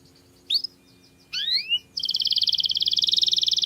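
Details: Canary song for masteran, called very clear: two brief rising whistled sweeps followed by a steady, fast, high trill of evenly repeated notes over a faint low hum.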